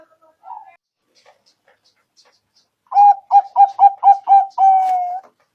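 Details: Lure song of the zebra dove, the perkutut, used to trap birds. A few faint soft notes come first, then six crisp coos in a fast row end in a drawn-out level note.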